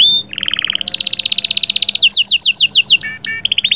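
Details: Canary song meant to get the female ready: one pure whistle, then a fast even trill that rises into a long string of quick slurred notes, ending in short buzzy chips.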